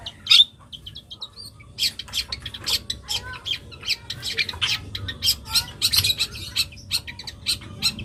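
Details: Young long-tailed shrike singing a full, varied song: a rapid run of harsh, scratchy squawks and short buzzy bursts, repeated several times a second, with a few thin whistled notes mixed in.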